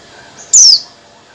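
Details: Oriental white-eye female calling for a male, used as a lure to make males sing: a brief faint note, then a single sharp, piercing whistle sweeping downward in pitch, lasting about a quarter second, with faint background hiss.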